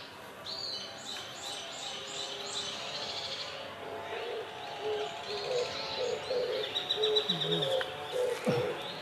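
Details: Male Japanese Sparrowhawk holding prey, calling the female in park woodland on 10 May 2021. A quick series of high, clipped notes comes in the first seconds, then other birds chirp and people talk quietly.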